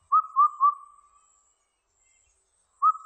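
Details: Indian cuckoo singing, 2020 recording: a four-note whistled phrase with the last note dropping lower, then a pause of about two seconds before the next phrase begins. Faint high-pitched insect buzz underneath.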